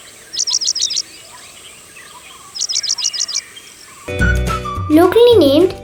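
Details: Paddyfield Pipit (Oriental Pipit) in Sri Lanka, a bird of open habitat such as wetlands, farms, fields and large parks, gives two quick bursts of about five thin, high chipping notes a couple of seconds apart, then music and a voice.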